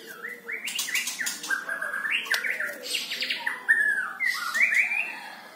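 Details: Captive-bird lure recording of a white-rumped shama singing: a continuous, rapidly changing series of whistled slurs, chirps and rising and falling notes, interspersed with brief scratchy bursts, at moderate volume throughout.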